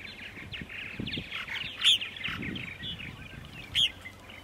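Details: Purple martins at 8:30 in the morning on 14 April 2012, Center Moriches, Long Island, New York: a busy stream of chattering, gurgling notes, with two louder sharp chirps standing out, and low background rumble.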